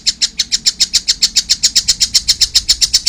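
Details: Juvenile collared kingfisher giving rapid, evenly spaced shrill notes, roughly four each second, loud and clear throughout with no other sounds.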